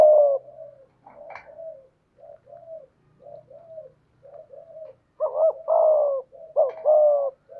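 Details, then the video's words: Decoy spotted dove in the 'thổ' voice style: a run of soft, low, short coos, then two loud phrases of a quavering note followed by a long mellow coo. "Chim Cu Mồi/ cu gay giong tho cuc dinh"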